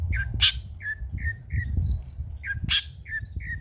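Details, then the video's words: Long-tailed shrike with old-style lure material: short whistled notes repeated at intervals, two higher squeaky notes and a loud burst, over a noticeable low rumble. "BURUNG CENDET MATERI JADUL BONGKAR MATERI MEWAH"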